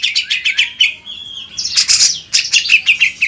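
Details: Grey-cheeked Bulbul singing on a songbird tutor recording: a quick descending series of chirps slides into a sustained whistle, followed by harsh, buzzy bursts and a string of bright repeated notes.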